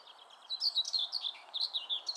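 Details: Common whitethroat recorded at Oud Herlaar on 6 July 2015, giving a fast, scratchy warbling phrase of rapid chattering notes that rise and fall, clear against a quiet background.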